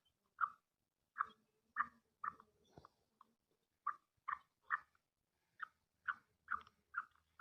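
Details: Calls of a female black francolin meant to rouse the male, with short, sharp chip-like notes in uneven bursts of two to four, broken by a brief pause and a faint rustle partway through.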